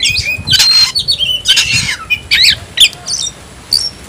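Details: Kacer, the Oriental magpie-robin, calling out an opponent to fight, giving a few loud harsh squawks and bright whistled slurs spaced by brief silences, ending with one thin, high whistle.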